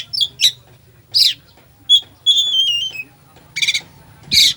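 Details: Oriental magpie-robin with a full fill-in repertoire, played to excite a sluggish bird: short scratchy notes, a bright whistle, a long wavering descending whistle, then harsh buzzy bursts, over low hum.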